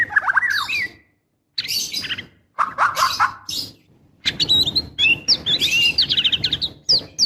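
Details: Female white-rumped shama in breeding condition calling the male: a busy run of varied whistles, chirps and sharp twittering notes, with brief pauses, then a dense rapid burst of high chattering over a low background hiss.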